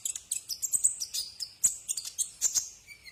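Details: Brown-throated sunbird (kolibri ninja) sung as a tutor recording for cage birds: quick, uneven series of high, sharp chips and brief thin whistles, roughly one burst of notes every half-second, ending in a faint descending whistle.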